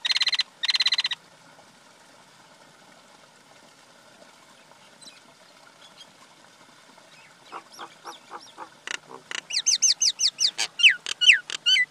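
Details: Male and female common myna: two harsh, buzzy bursts open, then a near-silent stretch, then a speeding run of clicks and rising whistled notes that grows louder and more varied toward the end.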